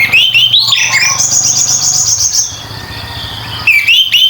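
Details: Loud, sustained ngeplong song of an orange-headed thrush, meant as a lure to prompt silent birds into song: rapid high, rich chattering and whistled trills, rising then held, pausing and resuming briefly, with a faint low hum underneath.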